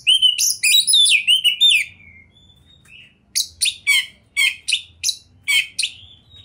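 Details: Oriental magpie-robin, a kept songbird in top singing form with a rich varied repertoire: a fast burst of clear whistled, slurred notes, a short pause, then a run of sharp, evenly spaced chirps repeated about every half second.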